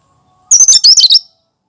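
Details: Cucak kinoi natural song without mimicry, used to prompt other birds and as a lure: one rapid burst of high, tumbling, twittering notes lasting under a second, loud and clean against silence.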